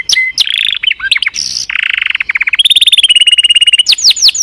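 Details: Canary song mixing varied chirps and a harsh buzz with a fast low trill, then a quick high rolling trill on a steady pitch, ending with several loud sweeping whistles.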